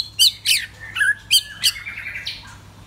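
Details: White-rumped shama singing loudly: a series of short, harsh, buzzy bursts spaced about a quarter-second apart, a brief clear whistled note between them, then a fading rasping trill, with a low steady hum beneath.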